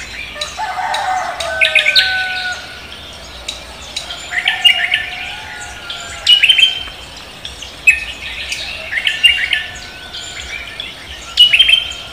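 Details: Lively dawn singing from a cucak kombo as morning breaks: bursts of high chirps and whistled notes come in clusters every second or two over a steady low background tone.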